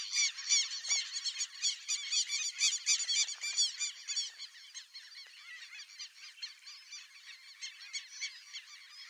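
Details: A pair of Brazilian teal calling: rapid, high, nasal squeaky notes, several a second and overlapping, loud at first then fading into quieter scattered calls.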